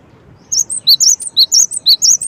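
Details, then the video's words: Gelatik batu, the cinereous tit, uttering loud, very high clear notes in an uneven quick series, mixing piercing upper whistles with slightly lower sharp chips. "SEKETIKA gelatik mu langsung NYAUT DENGARKAN suara gelatik batu ini"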